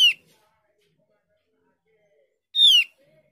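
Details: Lure call of the Javan grey-throated white-eye, meant to make young or quiet birds reply: a clipped descending note at the start, a long quiet gap, then another crisp, downward-sliding note.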